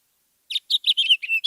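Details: House Finch (Haemorhous mexicanus) song: a quick, jumbled warble of about seven bright, high notes in one second, each note slurred and varied in pitch.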